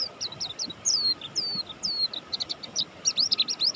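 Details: A mountain white-eye, buxtoni form, singing energetically. Several separate high notes with long downward slurs open the phrase, followed by rapid clustered twitters and rising-falling chirps, over a steady background hum.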